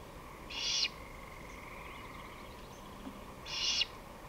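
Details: Two loud, rough hissing screeches from a great horned owl, about three seconds apart, recorded 23 May 2018 at 5:53 pm, with a quiet steady hum between them.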